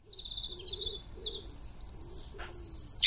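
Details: Two magpies in a small yard at six on a July morning, 17/07/2018. High, thin chirps and squeaky trills come in quick runs, with soft low cooing murmurs underneath and a sharp rasp at the end.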